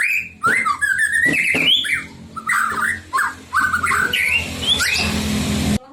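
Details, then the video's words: White-rumped shama singing to provoke rival shamas: whistled slurs and short warbles over a steady low hum, with harsh rasping bursts and a noisy stretch toward the end. "kicauan santai tapi bikin emosi, murai manapun pasti ikut bunyi"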